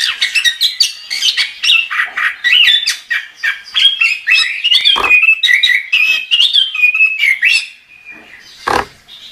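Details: Gacor-style song of a chestnut-capped thrush, a fast run of sweet warbled and whistled notes with sharp clicks, flowing for about seven seconds, then a lone harsh note and a quieter close.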